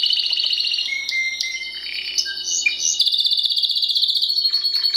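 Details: Timbrado canary singing: fast rolling trills interrupted by short pure whistles and clicks, then a bright high trill carrying to the end; faint background hum.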